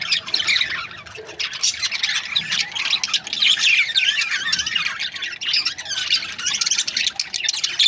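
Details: Budgerigars, Australian parrots kept as breeding pairs, chattering together in a dense, continuous stream of scratchy warbles and quick chirps from many birds at once, with brief louder squawks throughout and no other sounds standing out.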